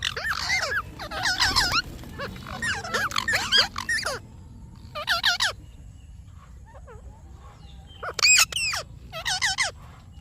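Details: Parrot chatter made of repeated bursts of wavering, squeaky chirps, with a quiet gap midway and more sharp, high chirps near the end.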